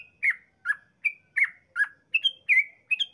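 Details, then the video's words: Yellow-vented bulbul in lively long 'ropel' song, used as a lure to make other bulbuls sing: sharp, slurred whistled notes, some rising and some falling, about two per second, with clean silent gaps. "Trucukan gacor ropel panjang paling ampuh mancing trucukan lain cepat ngropel."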